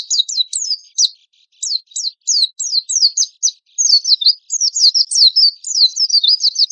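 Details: Rough-shot ('tembakan kasar') song of an Oriental white-eye, used as a lure and master song: quick, sharp, high down-slurred notes in fast runs, one short pause early, then unbroken chattering to the end.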